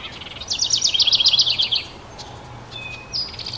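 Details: House wren at a nest box as the last two of five nestlings fledge into a nearby hemlock: a rapid, bubbly burst of high chattering notes for just over a second, then faint thin notes and a brief high whistle.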